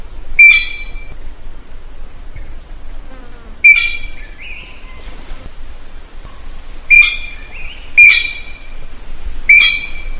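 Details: A common green magpie, calling for a mate, gives loud, sharp, piercing calls every one to three seconds, with fainter thin whistles and soft chirps from other birds between them.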